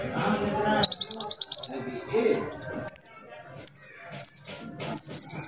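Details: Small glossy sunbird used as a lure and tutor to prompt other birds to sing: a rapid buzzy trill of high pulses, then short thin descending whistles repeated about every half second, over a faint low murmur.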